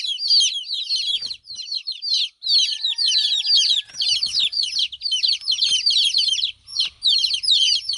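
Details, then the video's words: Young hen chicks left without their mother call loudly: bursts of piercing, falling peeps in dense clusters separated by short silences, with faint low rumbling and a thin tone behind. "Witty Hen baby " Chicks chirping ""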